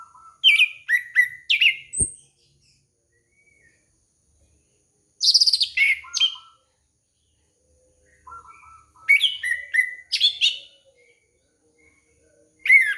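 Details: Orange-headed thrush singing as a lure for a young bird: three long bursts of rich, varied song, each opening with low whistled notes and rising into dense, rapid high chirps and trills, separated by silent gaps.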